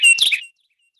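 A Carolina Wren gives one quick, bright burst of high chirping notes lasting about half a second, followed by silence.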